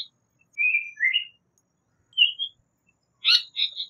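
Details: Japanese paradise flycatcher: a few drawn-out whistled notes, one falling and one rising, followed by a burst of harsher, higher chattering notes near the end, against clean silence.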